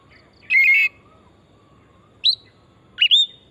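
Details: Forest oriental magpie-robin singing as a lure to stimulate other birds to sing: a short rich warbled phrase, a long pause, then two brief upward-sliding whistles over faint background hiss.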